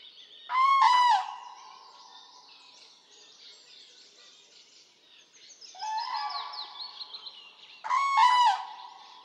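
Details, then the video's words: Common crane in Poland calling repeatedly: a loud harmonic trumpet note, a pause, a softer answering call near six seconds, then another loud rolling trumpet near eight seconds. "Common crane"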